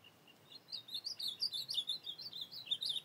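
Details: Ultramarine grosbeak singing at night in the field, recorded 25 August 2024: a rapid warbled phrase of varied high whistled notes, rising and falling, delivered continuously for about two seconds over faint background hiss.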